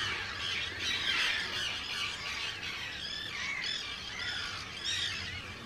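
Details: Arctic terns in a large breeding colony on Rottumerplaat, the Netherlands, on 4 June 2023, hundreds of birds close by; a dense chorus of harsh, grating squawks and rising-falling screeches overlapping continuously.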